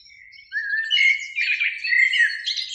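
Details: Spring evening Eurasian blackbird in a beech tree near a lake, two birds present; a brief, dense burst of warbled whistles and scratchy higher notes after a faint opening tone.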